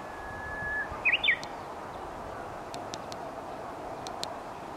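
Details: Japanese bush warbler singing at dawn on 11 April 2020: one long, steady whistled note, then a quick twisting flourish of higher notes. Steady background hum and a few faint clicks follow.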